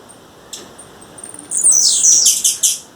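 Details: Female blue-black grassquit calling in the wild to attract a male. A quiet start with faint thin high ticks gives way to loud, very high buzzy notes and a run of sharp chirps in the second half.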